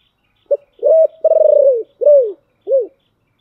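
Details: Spotted dove giving a complete giọng thổ phrase: a short clipped note, a steady coo, a long throbbing pulsed coo dropping in pitch, then two rounded falling coos with gaps between.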